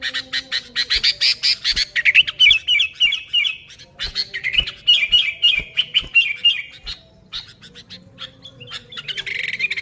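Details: Lively, unmixed sooty-headed bulbul song: dense rapid chatter in quick bursts with runs of bright repeated whistled notes, pausing briefly midway, over a faint low hum.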